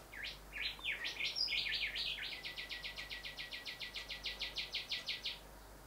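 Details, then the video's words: Male Rufous whistler singing near house windows, where he often admires his reflection at this time of year; a few jumbled high notes give way to a long rapid series of identical sharp notes, about three per second, steady and evenly spaced. "The Rufous Whistler"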